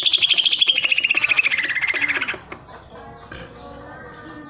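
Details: Greater green leafbird, kept in a cage, delivers a rapid pulsing trill that slides steadily downward over about two seconds, then falls silent, leaving only quiet background.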